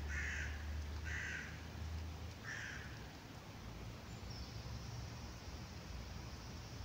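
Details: Hooded crow communicating with its kin: three rough caws in the first three seconds, then only a steady low hum and faint background noise.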